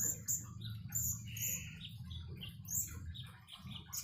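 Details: Common iora singing beside flowing water: bright high chirps and short whistled notes scattered over a steady low trickling and splashing of water.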